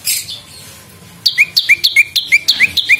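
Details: Lure recording of a lumut prinia singing: after a brief faint high rustle, a rapid run of sharp two-part notes, a high clipped chip followed by a lower downslurred whistle, repeated steadily about three per second.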